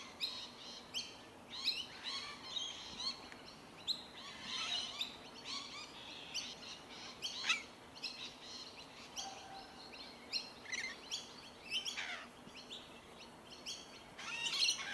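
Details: Several Rainbow Lorikeets calling while they feed on tree violet berries in Melbourne, Victoria, in January 2021: dense, overlapping shrill screeches and chatter, nearly continuous, with a low steady background noise.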